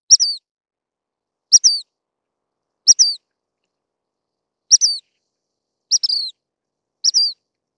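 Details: Dark-sided flycatcher giving thin, high, sharply downslurred call notes, each a quick double note, repeated roughly every one and a half seconds against complete silence.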